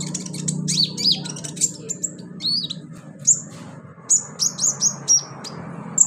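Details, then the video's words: Sunbird called konin, in a singing-therapy recording: varied high chirps, short downslurred whistles and sharp chips spaced unevenly over a constant low hum. "NGETREN TERAPI KONIN GACOR 2023 full roll rapat tembakan pedas"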